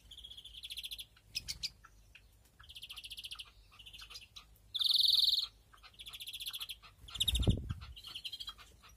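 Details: European greenfinch in a breeding aviary with nests, 2021, giving bright, rapid trilled chirps in short bursts under a second long, repeated every second or so, with a couple of dull knocks in the background.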